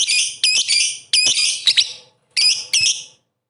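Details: Lovebird in full song, used as a lure to provoke rival lovebirds into singing: shrill, harmonic chattering bursts with sharp squeaks, delivered in three bouts separated by short pauses.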